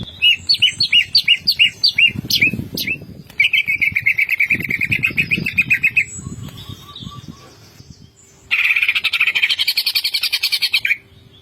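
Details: Greater green leafbird in full ngentrok song with fill-ins: a string of short sharp chips, then long dense rapid rattling trills, a brief pause, and another buzzy high trill.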